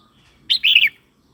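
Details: A red-whiskered bulbul phrase, from song played to provoke birds or teach young birds: one sharp upward note followed by a quick, slurred warble of two or three bright notes, all within half a second.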